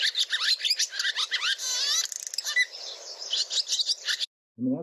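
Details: A Barn Swallow near Boise, Idaho gives a fast, complex twitter of squeaky rising and falling notes with a dry, grating rattle midway, like chewing a rubber balloon, then a brief man's voice; finding: Barn swallow.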